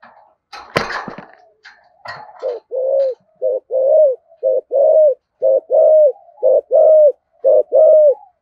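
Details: Spotted dove in the 'giọng thổ' voice style giving 'thúc gù' coos: after a few opening knocks and clicks, about a dozen low, hollow coo notes come in short clusters, some clipped and some held, all at an even pitch.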